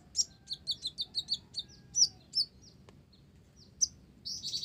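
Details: Olive-backed sunbird singing with learned Java sparrow material, opening with a quick run of seven bright, high ticking notes, then scattered sweeping chirps and a brief, rapid twittering burst at the end.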